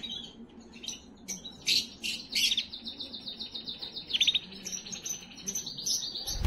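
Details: Canary singing to stimulate and prepare females: a long high-pitched stretch of rolled trills and whistled notes broken by sharp clicking chips, with a low thump at the very end.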